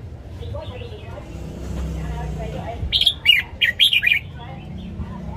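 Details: Red-whiskered bulbul morning song meant for training caged birds. Soft murmuring background for three seconds, then one loud phrase of five sharp, chirpy whistled notes.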